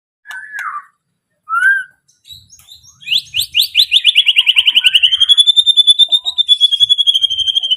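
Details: White-rumped shama singing: a few short slurred whistles, then a fast rattling trill of rapidly repeated notes that steadies into a long, even, high chattering run lasting several seconds.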